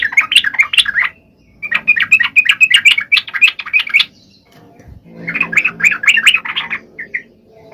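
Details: Sooty-headed bulbul singing, used to prompt quiet birds: chattering bubbly phrases of quick warbled notes in three bursts, with a soft low rumble in the background.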